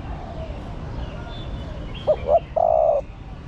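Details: Female spotted dove calling to stimulate the male: two short rising coos followed by a longer, steady, slightly falling coo, low and mellow, over faint background hiss.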